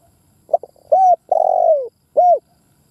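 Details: Lure spotted dove (cu gáy) calling to stimulate kept birds: quick paired notes, a steady coo, a long grainy coo curving down in pitch, then a final rounded coo in a quiet background.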